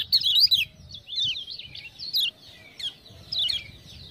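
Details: Lemon-bellied white-eye (kecial kuning) from Lombok, a captive tutor bird, singing in reply to ciak-ciak prompting. Short phrases of high, bouncing, twisting notes repeat every half second or so, each followed by brief pauses.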